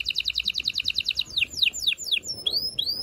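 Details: Strong canary song to stimulate breeding: a quick repeated trill gives way to a few loud descending swoops and then rising whistled slurs, with faint low background noise.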